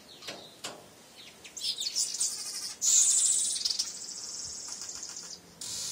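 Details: Male weaver bird that attacks its own mirror reflection each morning gives a high, sizzling, buzzy chatter that swells and stays loud for about two seconds, preceded by a few sharp clicks.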